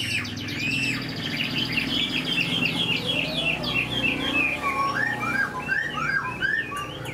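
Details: A wild-caught, caged Chinese hwamei, only about 80–85% tamed and not yet in full singing form, sings a rich run of loud, varied whistled phrases, rising and falling notes repeated in quick bursts, over a low background hum.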